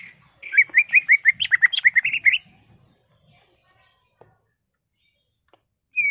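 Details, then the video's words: Caged greater green leafbird singing in an agitated, emotional way, used to provoke other caged birds into song: a rapid run of about a dozen slurred whistled notes over two seconds, then near silence and a final note. "CUCAK IJO GACOR EMOSI BONGKAR ISIAN NGENTROK/ PANCINGAN CUCAK IJO BIAR EMOSI"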